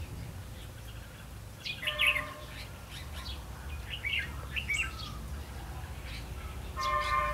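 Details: Red-whiskered bulbul used as a decoy for trapping, recorded 8 October 2016: a few short warbled, rising-and-falling phrases with sparse gaps, over low rumbling background noise and steady tonal hums.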